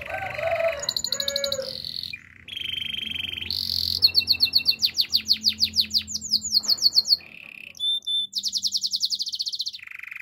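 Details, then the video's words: Domestic canary sings a varied sequence: buzzy low notes, fast high trills, a rolling tour, then a rhythmic run of sharp downward sweeps followed by short whistled trills; low hum underneath. "Master canary singing"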